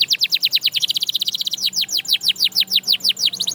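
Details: Canary trilling fast, rapidly repeated notes that blur into a rattle, then slowing into clearer downward-swept whistles repeated several times a second.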